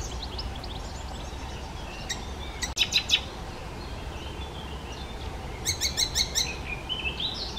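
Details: Fairly faint Icterine warbler singing, a mimic of other birds: scattered thin notes, then bursts of rapid buzzy stuttering chatter, and a rising whistle at the end.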